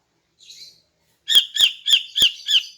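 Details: Morning song of a female greater green leafbird, meant to lure males: a faint soft note, then five loud, sharp, evenly spaced high chirps about a quarter second apart.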